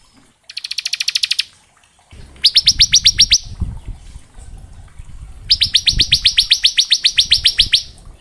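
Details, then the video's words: Used to teach young prinias the 'ngebren' style, this bar-winged prinia song gives three bursts of fast, high, upslurred trilled notes, the last running about two seconds, over background rumbling and thumps. "Suara Ciblek gacor ngebren syahdu"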